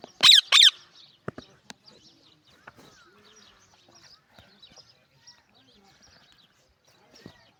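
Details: Talking pet parrot in Pakistan opening with two loud, rough, broadband squawks close together, followed by scattered quiet clicks and faint noises.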